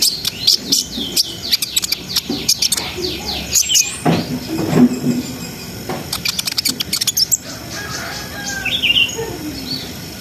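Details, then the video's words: Brown-throated sunbird in energetic song, played to raise breeding arousal in untrained birds: sharp high chips and short trills in bursts, with a slurred note near four seconds, over a steady low traffic hum. "SUARA KONIN GACOR NGRIWIK NGEROL SAMBUNG NEMBAK !! COCOK BUAT NAIKNA BIRAHI BAHAN"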